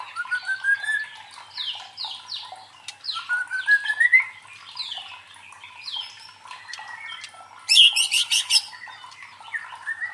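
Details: Provoking lure song of a white-rumped shama, meant to train fighting mentality in competition birds: long rising whistled glides and a series of falling slurred notes, with a sudden loud rapid trill burst near the end.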